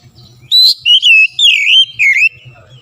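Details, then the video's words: Oriental magpie-robin (kacer) singing energetically, used as a quick lure: loud, clear whistled phrases sliding and warbling, four bursts in under two seconds, with faint low background hum. "TEMBAK SUARA KACER LANGSUNG GACOR"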